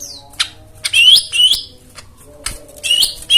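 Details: White-eye therapy song for birds that have stopped singing: short high chirps and a quick upward-sliding whistle, broken by pauses, over a faint low background hum.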